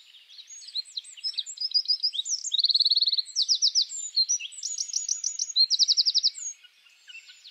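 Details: A Eurasian wren sings in a spring forest, pouring out a loud, high, rushing song of varied notes broken by several fast, rattling trills at breakneck pace.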